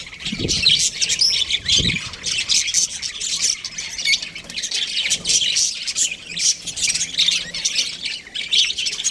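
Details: Budgies from a breeding pair squawk and chirp in a constant high, scratchy chatter; two short low thuds sound early on.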